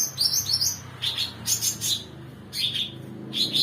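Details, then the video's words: Cucak ranting bulbul singing in the lively 'mbeset nembak' style, used as a tutor song for songbirds such as magpie robins; short high chirpy phrases and quick twittering bursts, repeated with brief pauses, over a low steady hum. "cucak ranting mbeset nembak"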